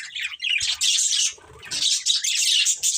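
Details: Budgerigar breeding pair giving bright, rapid twittering chirps in two bursts separated by a short quieter gap, the chatter high-pitched and tightly packed.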